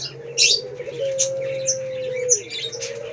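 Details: Male Pelung-type Barbary dove in full voice gives one long, steady, low hooting coo, held for over a second, then a shorter drawn note, while many other birds chirp and twitter brightly over it.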